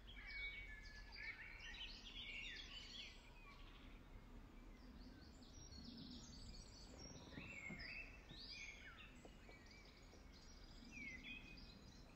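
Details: European goldfinch feeding at RSPB Ham Wall, Somerset Levels, UK, on 15 May 2023: busy high twittering and short sweeping chirps throughout, several overlapping notes, with a faint low rumble beneath.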